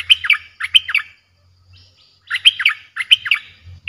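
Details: Fierce-sounding streak-eared bulbul song used as a lure for wild birds: bright, bubbling phrases of rapid chirped notes, two phrases close together, a gap of about a second, then two more, over a faint low hum.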